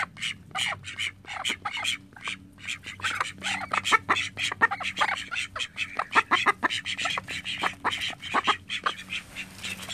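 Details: Pet call ducks, a flock of thirteen kept at home, produce a long stream of clipped, rapid quacks and chatter, many birds calling together over a faint background hum.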